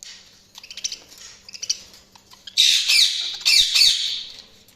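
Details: Budgies chirping indoors: a run of soft, rapid ticking chirps builds into loud, harsh, scratchy squawks and chattering bursts in the second half, with a faint low hum underneath.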